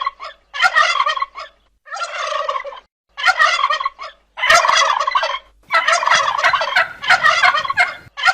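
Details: Turkey gobbling in loud, rattling bursts of about a second each, separated by short silences, the harsh broadband calls coming again and again.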